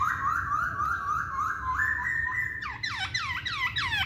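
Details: Masked laughingthrush lure song meant to trigger singing: a steady series of quick rising whistles, then a rapid string of loud downward-swooping notes.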